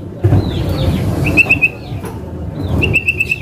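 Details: Male common iora calling, the 'calling a name' type that only males give, as females only say 'wek wek'. Two runs of short, bright whistled notes repeated rapidly at an even pitch, over a steady low rumble of background noise.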